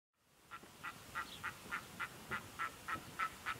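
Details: A red-throated loon at 60°N in the blue evening light of August gives a steady run of about a dozen short, nasal, goose-like notes, roughly three per second, over a quiet background hiss.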